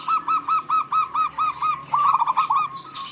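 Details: Local zebra doves calling in turn to lure a stressed dove. Eight evenly spaced soft coo notes, then a quicker bubbling run of notes close together.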